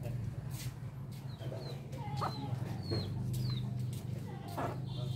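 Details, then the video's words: Indian ringneck parrot, a pair kept as pets and feeding: several short, sharp, downward-sliding high chirps scattered irregularly across the clip over a steady low electrical hum, with faint broadband clicks and handling noise. "Beautiful parrot talking | Parrot running pair | Parrot feeding | Indian ringneck parrot"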